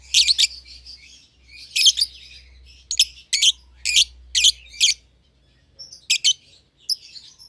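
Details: Two young lovebirds housed together in a cage, one albino and one euwing green opaline, utter loud piercing chirps in a loose series of about eight sharp notes over a low steady hum.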